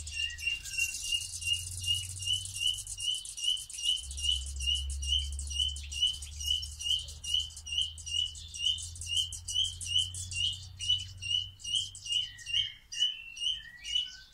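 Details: Common Nightingale (Luscinia megarhynchos) song in the 2020 breeding season: a long, rapid run of sharp, buzzy repeated notes, about two per second, held steady for over ten seconds over a low rumble.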